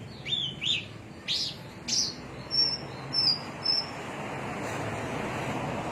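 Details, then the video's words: Javan myna from Cilacap giving a few loud, slurred chirps, followed by a series of thin high whistles spaced about half a second apart, before the recording fades to quiet hiss. "Kicau javanica cilacap"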